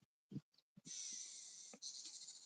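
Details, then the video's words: Southern masked weaver, a bright yellow bird with a black mask, outside a house at a meerkat and mongoose reserve in December: a sustained, high, buzzy chatter lasting over a second after soft thumps and rustles. It is a contact call, not an alarm. "That sound is just his contact call. There's no alarm."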